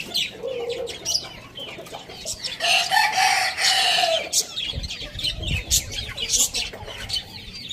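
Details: Rooster crowing in the morning: one drawn-out, harmonic crow of about two seconds rises mid-clip above a busy background of rapid, high chirping from small birds.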